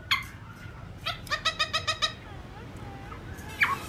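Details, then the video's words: Black-throated laughingthrush singing a forest-style morning song: a loud rising whistle, then a quick series of six or seven rich, harmonic notes, a softer warbled phrase and another bright note. "Khướu bạc má hót giọng rừng"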